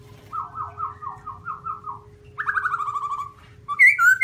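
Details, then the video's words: Black-throated laughingthrush, white-cheeked form, singing a series of soft rolling whistled notes, then a louder descending run of rapid buzzy notes, ending with bright slurred whistles, over a steady low hum. "Garrulax chinensis white cheek singing"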